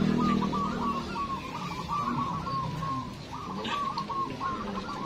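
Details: Zebra doves at a local cooing contest in Windusari, Magelang, Central Java: quick runs of soft, rolling cooing notes in bursts, with a low hum and faint crowd noise behind.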